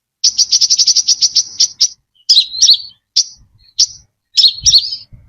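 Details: A brown-throated sunbird opens with a fast rattling series of a dozen high chirps, followed by looping slurred phrases and single sharp notes. Clean lure recording without background noise.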